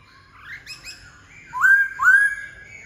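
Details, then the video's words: White-browed laughingthrush song of soft rising whistles followed by two loud, clear upslurred whistled phrases, each swelling and then fading. "Khướu bạc má ...!"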